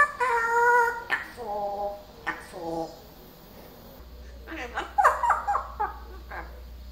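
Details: Pet parrot kept indoors and recently very chatty utters a sustained nasal phrase, then a string of quick repeated syllables, followed by a rapid babbling run of speech-like sounds.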